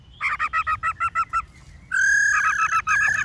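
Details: Many-voiced, wild-style black-throated laughingthrush song used for training caged birds: eight quick doubled whistled notes, a brief pause, then a long loud sustained whistle with a low rumble underneath.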